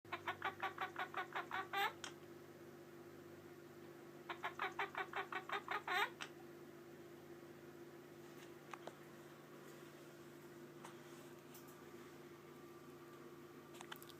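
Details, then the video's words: Pet Quaker parrot indoors doing its favourite chicken imitation: two rapid bursts of harsh pulsed clucks, about a dozen each, separated by a pause, over a steady household hum. "Quaker Parrot making his favorite noises!"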